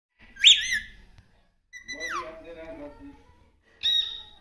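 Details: Pet parrot talking indoors: a high squawky phrase, then a lower wavering speech-like phrase, and a final high screech, with a faint low hum between.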